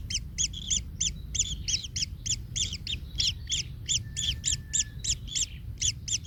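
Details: Baby kingfisher in the nest calls after being trampled by a parent. Rapid, evenly spaced squeaky chirps run about three per second, with a faint thin whistle midway and low rumble below.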